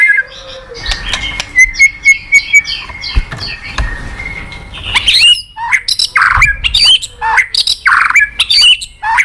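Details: White-rumped shama song played as a lure for a bird that is reluctant to sing. It is a loud, varied stream of sharp chattering bursts, clear whistles and harsh squawky notes, with short gaps between phrases.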